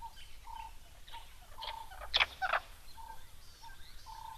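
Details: A Burchell's starling at a waterhole in Zimbabwe, in April during possible breeding season, gives a brief pair of harsh, grating calls before landing in a tree overhead; soft short whistles repeat about twice a second behind.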